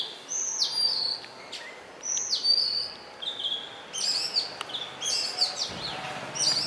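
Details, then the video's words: Indian robin, a small black and white bush robin living near human homes, singing from a branch or wire in morning or evening; sweet high whistled phrases with falling slurs and short trills, repeated in bursts with pauses. "The best bird song, Indian Robin singing"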